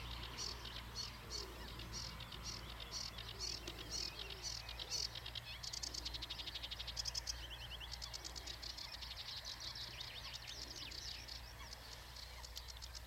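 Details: Song of a Eurasian reed warbler, a long run of grating, chattering notes repeated in quick pairs and triplets, changing pace and tone partway through, with faint steady low rumble underneath.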